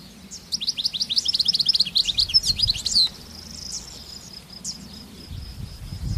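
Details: European goldfinch singing in the wild, a free-living bird: a rapid burst of bright, high twittering notes lasting about two and a half seconds, then a thin sustained high tone and scattered chirps, with low rumbling noise underneath.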